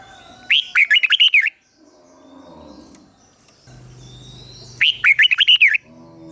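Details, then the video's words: Red-whiskered bulbul decoy calling rivals to fight, giving two bursts of a quick, jerky run of loud whistled notes separated by several seconds of low background noise. "Chào Mào Mồi Hót Gọi Bổi Về Đấu - Luyện chào mào hót giọng chim mồi gọi hay"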